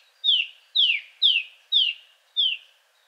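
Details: Male Song Thrush singing a richer song with nightingale-like touches: one sharp downslurred whistled note repeated five times in a row, about two per second, with brief silences between.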